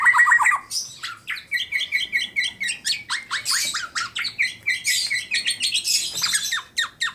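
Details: Black-naped Oriole, a tame bird from Klaten in Central Java, in busy full-isian song: a quick opening descending series, then steady rapid chips and high twittering notes pulsing about three times per second.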